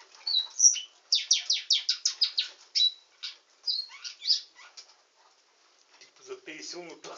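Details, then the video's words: Canary singing rapid rolling trills of repeated sharp notes, then assorted whistles and chirps, ending in softer twittering with some lower sounds in the background. "Nightingale singing canary"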